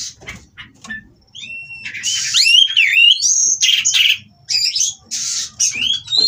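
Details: Caged Oriental magpie-robin (kacer) at a Kroya breeding facility, mating and singing to challenge rivals: quiet faint notes at first, then loud swooping whistles and scratchy, buzzy phrases in several bursts separated by short pauses.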